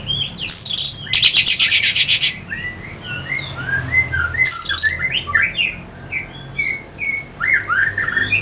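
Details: Orange-headed thrush song meant to stimulate fighting birds, opening with harsh rattling buzzes, then a stream of short whistled and chirped notes, varied and rapid, with a faint low hum behind.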